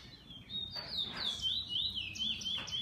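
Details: Brief bullfinch song from a kept bird: high wavering notes sliding up and down in a continuous twittering run, over a soft low background hum.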